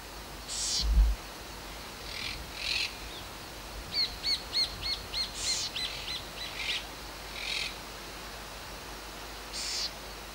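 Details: House Wren on a clear, slightly windy first winter outing at Punta Indio, Argentina, gives a quick run of about ten bright, chattering high notes framed by scattered harsher chips, over a low wind rumble.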